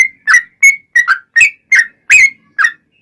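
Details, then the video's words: Yellow-vented bulbul singing actively as a lure for other bulbuls: eight liquid chirps, some rising and some dropping, spaced about a third of a second apart over a quiet background. "SUARA trucukan gacor ROPEL PANJANG pancingan trucukan agar bunyi"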